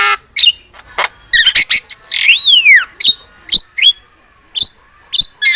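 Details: Javan myna in an energetic training recording for other songbirds: harsh squawks and rasping bursts, then a long whistled note that swoops down, followed by short, sharp, clipped chirps spaced about half a second apart.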